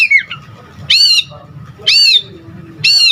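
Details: Full, ringing notes from a singing white-rumped shama, each a loud rich arch of sound repeated roughly once per second, separated by brief quiet with faint low background murmur.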